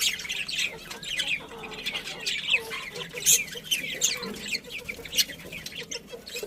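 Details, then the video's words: Pet budgerigars enjoying breakfast, chattering constantly in a steady stream of high, scratchy chirps and short squeaky notes from several birds at once. "Adorable Budgies Chirping Sounds"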